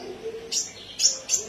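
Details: Common iora (Aegithina tiphia) in full, vigorous song with sharp "shot" phrases: three high, bright notes about half a second apart, each a quick sharp burst with thin overtones, over a low background hum.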